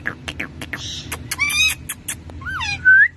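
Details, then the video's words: Rose-ringed parakeet, a talking pet parrot, gives quick, harsh speech-like syllables, then clear whistles that bend up and down, the last rising and loudest. "Bolne wala pyara mithu / Talking parrot"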